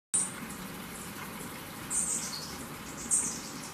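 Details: Golden-tailed sapphire (Chrysuronia oenone) at Waqanki Lodge, Moyobamba, Peru, giving three very high, thin, squeaky notes about a second apart over a steady soft background hiss.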